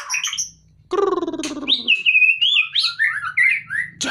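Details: White-rumped shama (murai batu), a caged bird taken out of its cage, delivering rich song: quick high whistles, a rough grating buzz, then a run of clear, wavering, sliding whistles.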